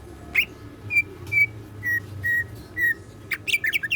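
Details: Active caged greater green leafbird singing 'isian siklon' material: a series of clear, level whistled notes about every half second, then a fast burst of squeaky chattering notes at the end, over a faint hum.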